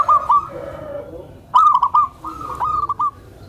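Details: Soft, rapid stuttering coos from a tame zebra dove used to attract other zebra doves, three short phrases with brief gaps between them.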